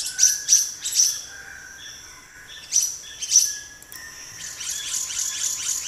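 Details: Black-naped monarch giving sharp, high, clipped chips, three in quick succession, a pause, then two more, with faint softer notes and a rising busy chatter of other birds toward the end.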